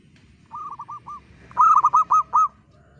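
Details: A local zebra dove, keen singer with a clear crystal tone, gives a soft run of four coos, then a louder, faster phrase of about six rolling notes, with low background murmur.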